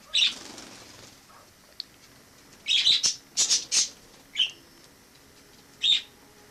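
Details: Wild sparrow that lived in a family home after entering via a balcony in autumn 2006; an opening chirp, a quick series of high notes, then two single chirps spaced apart, in a quiet room.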